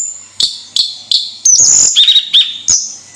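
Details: Javan sunbird kept as a singing cage bird in Indonesia, giving high sharp chips spaced under half a second apart, mixed with brief buzzy trills and thin whistles.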